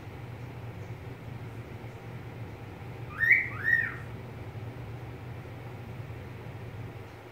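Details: A single double whistle from a pet budgerigar, two quick arched slurred notes in close succession midway through, set against continuous low humming background noise.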